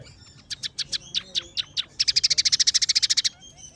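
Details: Emprit peking, the scaly-breasted munia, singing a song that includes sparrow, red siskin and canary phrases: separate clipped chirps at first, then a fast regular trill of some twenty notes that stops abruptly.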